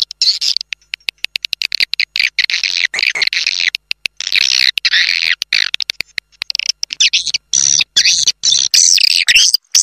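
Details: Swiftlet roosting lure call in the 'Raja Di Laut' style, played to draw birds in: rapid, high, scratchy twitters in quick overlapping bursts, broken by many short silent gaps, with almost no low background sound.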